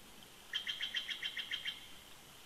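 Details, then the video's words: A winter duet from a bald eagle pair on their nest snag at Big Bear Lake, California: roughly nine soft, high, chirping notes, evenly spaced, heard at some distance. "BB🦅Duet In Winter❄️"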